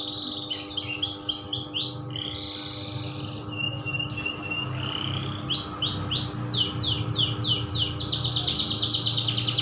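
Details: Loper-style canary song: rapid sweeping notes and a long rising whistle, then repeated swooping phrases building into a fast rattling trill, over a constant low hum.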